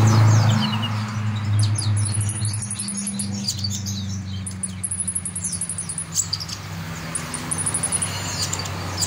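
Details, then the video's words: Kolibri ninja sunbird in chattering song meant as a master recording: scattered high chips and slurs, joined by stretches of even, very high buzzy trills, over a loud low hum. "Kolibri Ninja Gacor Masteran"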